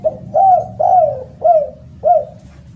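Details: A spotted dove gives a loud, melodious phrase: a short clipped note, then three full arched coos and a final coo, each rising briefly and falling, with even gaps and low background hum.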